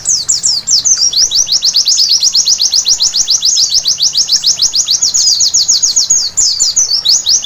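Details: White-eye in nocturnal song, used to prompt birds to sing: a brisk, continuous series of high, thin down-slurred whistles about four each second, with twittery flourishes at the start and close, over faint hiss.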